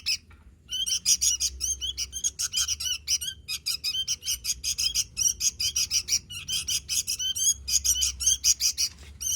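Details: A sooty-headed bulbul sings vigorously after a quiet start: long, dense sequences of sharp chirps and squawky notes with only brief breaks.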